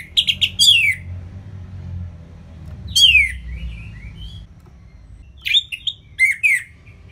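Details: Orange-headed thrush in ngeplong style from northern Bali, Singaraja, a tutor recording for birds that sing little: bursts of sharp notes and down-slurred whistles separated by longer pauses with soft warbled fragments.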